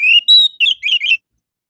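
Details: Short orange-headed thrush phrase from a morning lure meant to set caged birds singing: a level whistle, a higher pure note, then three quick wavering warbled notes, all clear and loud.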